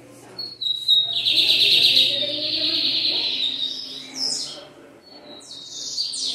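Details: Lined seedeaters, a group of four, singing: a long, loud, rich warbled phrase held high and fairly steady, then shorter bright twittering bursts after a brief lull; a faint low hum underneath.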